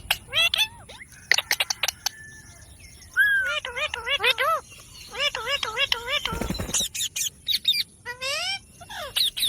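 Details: Green pet ringneck parrot talking in bursts of wavering, warbled, speech-like syllables, including a run of rapid, wavy repeated notes, broken by sharp clicks and one loud burst of noise.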